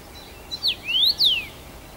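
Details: Single whistled song phrase from a first-summer male Common rosefinch in Bazel, Belgium, June 2015: a short note, a dipping slur, then a long upward glide and a clean downward whistle.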